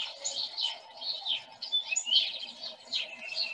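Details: House sparrows give a busy stream of bright, repeated chip notes in the foreground in a field by a house in Murray on 5 March 2021, with other birds calling behind them, including a tufted titmouse's "peter peter peter" toward the end.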